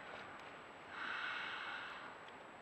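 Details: Griffon vulture recorded by a day-and-night camera trap on a rock ledge it regularly uses, driving off other vultures: a single breathy, rasping hiss lasting about a second, over a steady background hum.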